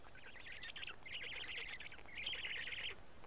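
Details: Black stork nest at Karula at midday on 31 May 2017, with an adult feeding two large fish to the chicks. Three quick trilled, stuttering runs of high notes follow one another over about three seconds.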